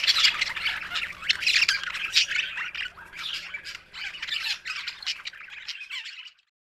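A budgerigar chatters in a rapid, scratchy stream of squawks and chirps.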